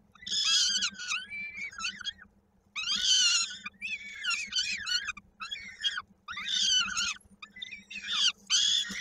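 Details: Peregrine falcon feeding scene at a nest in Koszalin, 16 May 2022, a chick's foot lodged in a beak; repeated bouts of harsh, buzzy screaming with harmonics, about five bursts separated by short silences, steady background hum.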